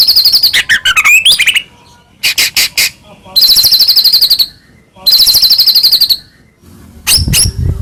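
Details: A white-rumped shama pours out loud, high buzzy trills and rattling bursts separated by short pauses, with a few swooping whistles at the start; the song serves as a lure to provoke other shamas into singing and agitation.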